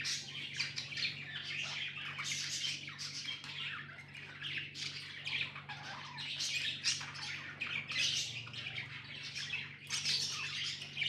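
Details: ['Pet budgerigars chatter continuously, with busy high chirps, squeaks and warbles overlapping, over a steady low electrical hum.']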